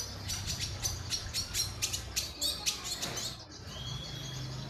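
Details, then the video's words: Singing indigo bunting: a series of about a dozen sharp, high, evenly spaced notes over two and a half seconds, then a brief pause and a thin, level whistle over a low hum. "Burung indigo bernyanyi"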